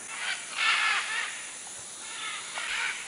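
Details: Macaws at a clay lick in the Manu area jungle of Peru, 2008, among many macaws and other birds: harsh, raspy squawks in several broad bursts, the loudest near the start, over a steady hiss of background noise.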